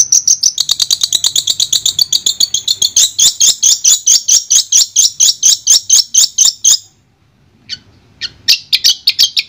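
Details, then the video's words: Long-tailed shrike of the Madura type, a clear master song: a fast run of about twenty sharp, high chattering notes that then stops, followed by a short pause and a few scattered high chips. "Suara Jernih Masteran Burung Cendet Madura"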